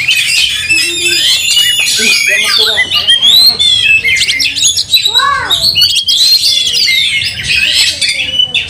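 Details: Angry white-rumped shama in a fight, tail spread, pouring out a harsh, varied song of fast chattering notes, rising and falling whistles and buzzy squawks, with a few lower swooping notes near five seconds.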